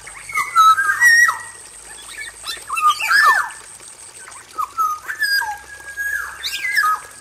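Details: Caged male black-naped oriole in an aviary giving a lively mixed song of mellow whistles, sharp downward slurs and scratchy squawks in irregular bursts, over a constant high-pitched tone.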